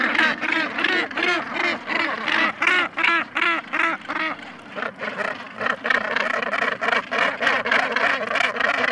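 Northern Gannets give harsh, grating, throaty calls, about three a second, rising and falling in a busy overlapping chorus.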